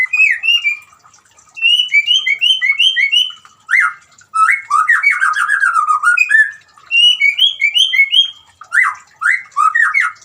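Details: White-rumped shama singing loudly over trickling water, intended to make a silent shama sing; alternating runs of quick high whistled notes and lower rich warbled, harsh phrases repeated in bursts.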